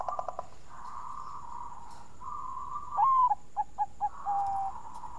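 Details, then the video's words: Bangkok-type zebra dove with a melodious voice, used as a lure to set other doves singing: a rising coo followed by short staccato notes and a held note, over a steady murmur of other cooing doves. "Burung Perkutut Bangkok Suara Merdu Bikin Pancingan"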